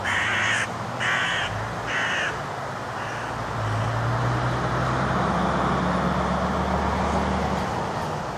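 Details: Young hooded crows recorded June 15, 2011 at Gorenki railroad station near Balashikha, Moscow District, Russia: three hoarse caws in the first two seconds, then a fainter one, against a constant low drone, possibly traffic or machinery.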